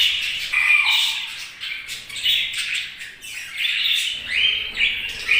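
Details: Several budgies chatter in bursts, with high chirps and buzzy squawks rising and falling and short gaps between phrases.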